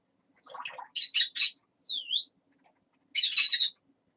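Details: Talking parrot chattering: a quiet mumble, three loud, rhythmic raspy syllables, a curving whistled slide down and up, then after a pause one more hoarse, speech-like burst.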